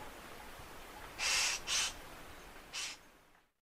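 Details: Three grating, noisy calls from a Eurasian magpie: two close together, then a shorter third after a gap, before the recording fades to silence.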